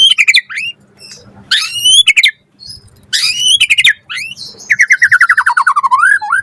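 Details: White-rumped shama in full varied song used to train caged birds: warbled phrases, noisy bursts and sweeping whistles, closing with a fast descending trill of repeated notes.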